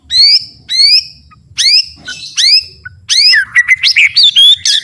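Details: White-rumped shama singing a full varied song for master training: loud upswept whistled notes, then a rapid jumble of squeaky twisting phrases and whistles.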